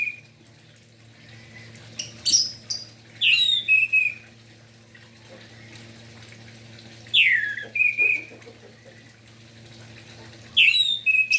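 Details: Orange-headed thrush in energetic morning song, played to excite other thrushes to sing: three separated phrases of swooping whistles and bright notes, quiet gaps between, steady low hum throughout.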